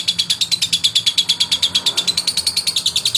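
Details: Male lovebird chatter used to provoke opponents: a tight, fast stream of shrill, clicking pulses, evenly spaced and sustained without pause across the whole stretch.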